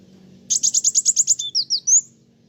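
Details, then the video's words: Brisk song of a kolibri wulung sunbird provoking other birds: roughly ten clipped high notes in quick succession, followed by a few drawn-out, thin slurred whistles that rise at the end. "Kolibri wulung gacoorr bikin burung lain emosi"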